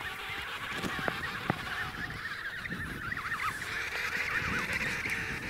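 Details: Emperor penguin at Snow Hill giving a warbling, rapidly wavering call, wobbling up and down in pitch over several seconds, against steady wind-like hiss and scattered clicks and knocks.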